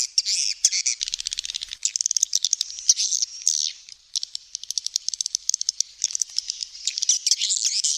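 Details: Swiftlet clicks in quick trains alternating with bursts of high, buzzy twittering, the clicking spells ticking like rapid tapping.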